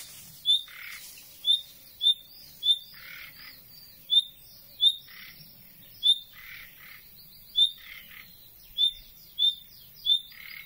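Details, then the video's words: A common nightingale, glimpsed briefly, gives unusual short, sharp whistled calls rather than its typical song, often with a harsh rasping edge, about a dozen in ten seconds at an uneven pace. "Słowik Rdzawy wydaje też takie odgłosy"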